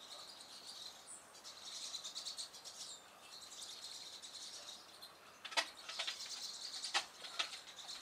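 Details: Pine siskins at Hammond Bay Road, Nanaimo, British Columbia, chattering in a high, buzzy twitter of rapid notes, with sharper chips breaking through now and then over a soft background hiss.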